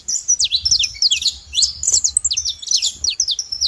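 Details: Saffron finch making noise at a feeder in Brazil, giving a steady stream of high, bright chirps and quick downslurred whistles, over faint low rumble.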